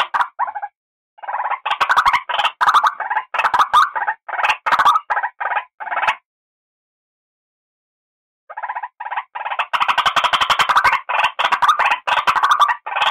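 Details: White-breasted waterhen lure call: bursts of harsh, croaking notes delivered in rapid, uneven series, a silent gap of about two seconds midway, then a denser run of raspy repeated notes.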